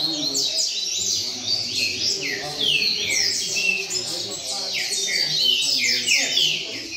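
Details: Rain-song style of a double-collared seedeater, sung steadily: quick clusters of high descending whistles and sharp slurred notes tumbling one after another, with a low murmur of human speech in the background.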